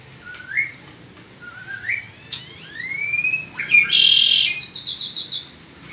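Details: In spring, a Peninsular mockingbird sings two short rising whistles, a longer upswept whistle, then a harsh rasping burst followed by a quick pulsed trill.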